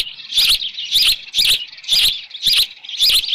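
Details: Osprey at a Dunrovin Ranch nest with a headless fish, 10 June 2018, 6:41 PM, gives six loud, high, piercing chirps at a steady pace of about two per second.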